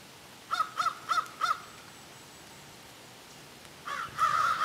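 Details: Several crows calling together, described as having a serious discussion: four short harsh caws in quick succession, a long pause, then a louder burst of overlapping, drawn-out caws at the end.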